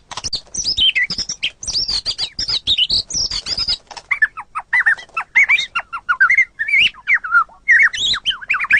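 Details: White-rumped shama song recorded as a training tutor for songbirds: a rapid, continuous run of varied high whistles, trills and sharp chirps, with quick downslurred notes early on, then lower, spaced whistled phrases.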